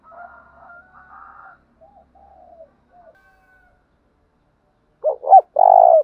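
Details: A decoy spotted dove, calling to attract other birds. Faint low hums and soft notes come first. After a silent pause, one loud phrase follows: two quick coos and then a long, even, drawn-out coo.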